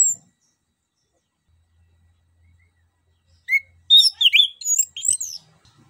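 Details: Energetic song of an orange-headed thrush, used to stir a reluctant bird into song. After silence, a rising whistle opens a dense tumbling run of high warbled and chirping notes lasting about two seconds.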